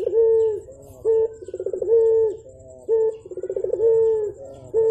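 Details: Morning calls of a Javan turtle dove (burung puter): a quick throaty trill of pulses, then a sustained steady low coo, repeated in a regular rhythm roughly every second and a half.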